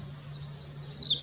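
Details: A brief snatch of Eurasian wren song recorded on 10 May 2019: a rapid, very high, tinkling rush of notes and trills over a faint, steady low hum.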